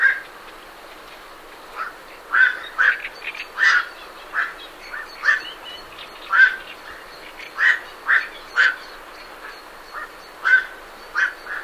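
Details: Night herons departing a roost call over and over, hoarse barking croaks coming roughly every half second to a second, while great reed warblers chatter steadily in the background.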